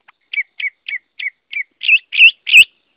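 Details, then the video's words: Hwamei song with five short identical downslurred whistles at steady intervals, then three louder looping, rich notes in quick succession. "Tiếng Họa Mi hót | The sound of the bird Garrulax canorus"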